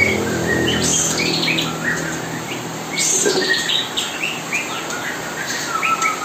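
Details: Kapas tembak singing nonstop as mastering for young white-rumped shama, one fledgling already feeding itself and a sibling still hand-fed; busy bursts of high chirps and whistled notes, some rising and falling, over steady background hiss.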